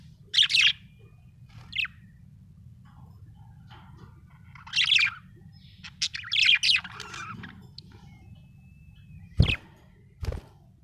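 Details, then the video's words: Budgerigar chirping happily, giving clusters of harsh, scratchy chirps and chattering notes in irregular bursts, plus a couple of sharp clicks near the end over a constant low hum. "happy budgie chirping sound"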